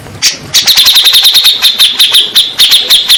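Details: Grey-cheeked bulbul chattering, offered as a lure so that stressed birds will answer. One note, then a steady, rapid series of ringing, high chips, about four per second, throughout.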